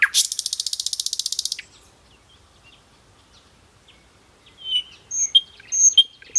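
A nightingale gives a fast, dry rattle of about eighteen rapid notes, pauses, then adds a few high, sharp whistled notes. No other sounds are heard.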